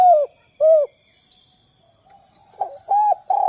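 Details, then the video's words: Spotted dove cooing, a recording of its kuk 2 call meant as a lure to set other doves calling; two arched, mellow coos, a pause with faint background chirps, then three quicker coos in a row. "Suara Derkuku kuk 2"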